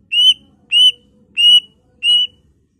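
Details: Greater green leafbird in lively song with borrowed phrases from other songbirds. Four clean, slightly rising whistles, each lasting about a fifth of a second, spaced evenly over two seconds in quiet surroundings.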